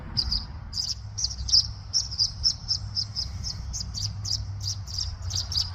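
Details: Tree swallow calling in a near-continuous series of high, clear chirps repeated roughly three times a second, some notes doubled, with a low droning hum underneath.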